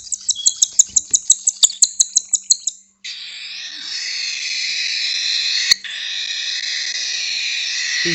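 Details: Hand-fed baby cockatiels at breakfast time in a San Diego bird shop. About a dozen quick, high, evenly spaced chirps come first, then a brief silence, then a continuous harsh hissing rasp.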